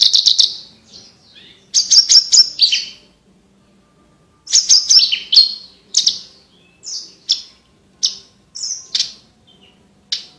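Horsfield's Bush Lark singing bright, high bursts of rapid chattering notes and clear whistles, phrases about a second long separated by short pauses, over a faint low hum.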